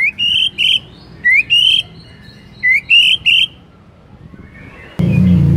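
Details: Shama lure song to get other shamas singing: short rising whistled pairs and triplets with pauses between, ending in a sudden low thump of noise.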